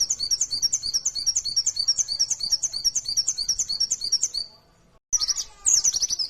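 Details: Rapid shrill chirps of a mountain white-eye's 'nembak' lure song, about three notes a second for four seconds, then a short silence and a burst of denser twittering.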